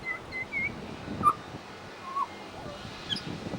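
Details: Pied butcherbird (Cracticus nigrogularis) mimicking other birds at a bird sanctuary gives a few short, clear whistled notes, some slurred, scattered across a few seconds over a steady rushing background hiss.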